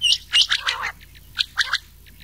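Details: Rain quail call mixed with an old quail voice, used as a night-time lure for quail hunting in summer; short sharp high notes, some paired, in quick bursts over about two seconds, with rougher lower chattering between.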